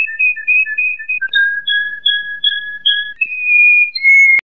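A canary sings long, pure whistled notes, each held steady for a second or more and stepping between pitches, with no other sounds and a sharp click at the end.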